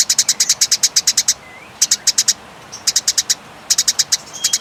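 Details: Eurasian tree sparrows fighting, chattering in long, clear rattles: groups of quick, sharp, high chips with brief pauses between groups and a faint thin whistle now and then.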